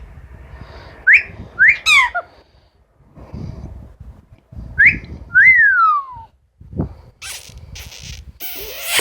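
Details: Pet Amazon parrot indoors whistling: two sharp rising whistles with a quick warble, a pause, then a rising note and a long clear whistle sliding downward. A woman talks softly between the whistles, and a burst of noise closes the clip.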